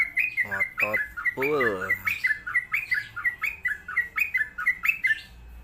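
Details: Sooty-headed bulbul, described as a champion songbird, giving quick repeated chirpy notes. A lower, drawn-out harmonic sound breaks in early on, then the fast bubbly phrases resume.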